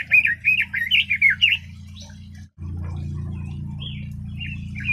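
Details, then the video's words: A quick run of bright, rolling whistled notes from a red-billed leiothrix, followed by a pause and a few scattered softer notes over a steady low hum. "Red-billed Leiothrix Singing Voice - Leiothrix Lutea bird"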